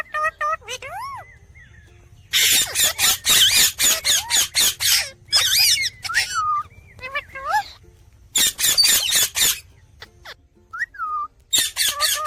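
A rose-ringed parakeet mixes harsh, rapid screeching bursts with clear whistled notes that bend up and down, some almost speech-like, in quick irregular runs.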